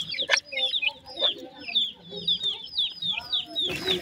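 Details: Painted francolin chicks in their first days of life, a brood calling together: thin, high, downslurred peeps repeated rapidly and overlapping, almost two per second, with faint low murmurs underneath.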